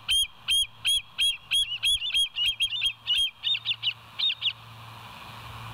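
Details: A long chattering run of bald eagle calls from the West End live cam, 19 September 2023 at 06:52; around fifteen shrill piping notes, quickening and becoming uneven midway, then fading into hiss and low hum.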